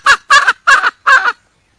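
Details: Wild red junglefowl hen calling to find a mate: four harsh, double-pulsed squawking notes in quick succession, then silence.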